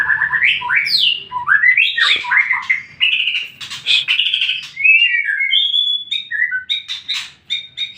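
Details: White-rumped shama song used as a lure to make other shamas answer: a loud varied run of rising and falling whistles, slurred phrases and sharp chips, changing pattern every second or so.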